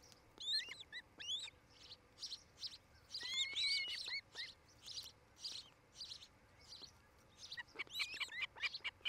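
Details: Osprey calling at its nest near Charlo, Montana, recorded by a nest camera on 8 July 2018 around five in the afternoon; bursts of high, sharp whistled chirps come in uneven runs, with several rapid clusters and brief pauses.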